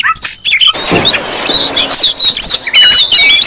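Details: Oriental magpie-robins in a noisy, crowded chorus used as a lure to provoke other magpie-robins: overlapping high whistled slurs and chatters, with a burst of rough broadband noise near the first second.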